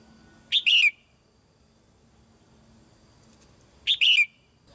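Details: Caged female red-whiskered bulbul singing to encourage young birds to sing more: two short, loud, bright whistled phrases about three seconds apart, with quiet background in between.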